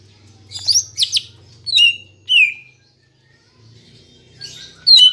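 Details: Green leafbird song used as a training lure: sharp rising and falling whistled slurs in a varied sequence, with a faint low hum underneath and a brief quiet gap midway.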